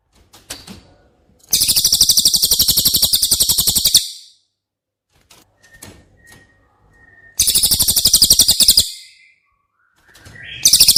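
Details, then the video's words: Cililin song used as training audio for a caged White-rumped shama: two loud bursts of very high, rapid buzzy trills, each lasting over a second and repeated fast, with short scattered chips and silence between. "Masteran CILILIN Materi Wajib untuk Burung Murai Batu anda!!"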